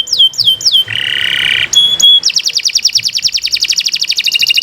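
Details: Tutor recording of a canary singing at length: a few falling whistles, a flat nasal buzzy note, a pure high whistle, then a long rapid trill of evenly repeated chirps.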